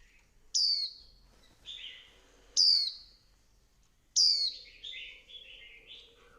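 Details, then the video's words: Female Swinhoe's white-eye stirring up the male with a fiery chattering 'líu' song: three loud, piercing, downslurred high notes with softer fragments between, ending in a longer warbled run of rapid twittering notes. "Tiếng chim vành khuyên mái kích trống líu căng lửa"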